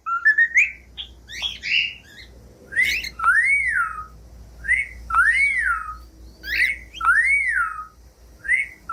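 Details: Cockatiel song of clear arched whistles that rise and fall smoothly, each about half a second long, alternating with harsher chirps, over a quiet low hum.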